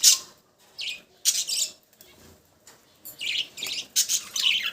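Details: Budgerigars giving separate bursts of shrill, scratchy chirps with short silent gaps between them.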